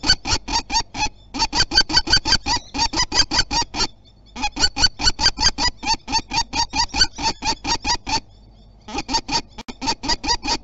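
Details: Common kestrel defending its territory at Théding, France, on 27 April 2021 in spring: loud, sharp, rapidly repeated calls, about four per second, delivered in long runs broken by brief pauses.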